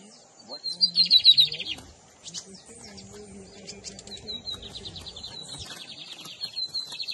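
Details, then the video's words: Bigodinho, the double-collared seedeater, singing in the 2023 season as Camelão and Torneiro song styles are compared. One loud burst of rapid high chirps comes early, then softer scattered twitters and thin high notes continue over faint low background sounds. "Bigodinho Camelão x Torneiro"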